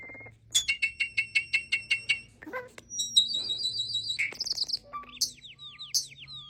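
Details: Starling producing a varied medley: a rapid series of sharp clicks, then rattling buzzes, a stretch of high warbled notes and a run of thin descending whistles. There are few pauses between the parts.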